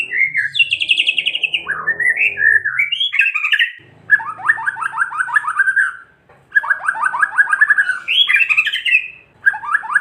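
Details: White-rumped shama singing kretekan to provoke other shamas into song: dense rattling trills of rapid repeated notes mixed with high swooping whistles, some low background noise under the first phrases.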